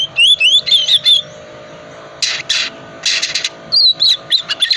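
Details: Ngriwik-style Oriental magpie-robin song, played to coax silent birds into singing: quick rising whistled phrases, a gap with bursts of harsh broadband rasping, then more high sliding whistles over a steady low hum.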